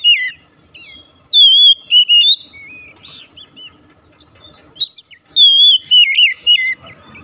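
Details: Song of an Oriental magpie-robin for rousing a silent bird into song: two bursts of loud, sweet whistled phrases with trills and slurs, separated by quieter scattered notes.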